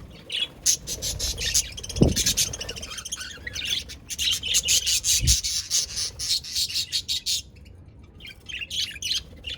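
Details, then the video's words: Budgerigar chatter: a steady stream of twittering high chirps and harsh squawks, with two sharp low thuds early on. "sound of budgies Beautiful Sounds budgies parrots"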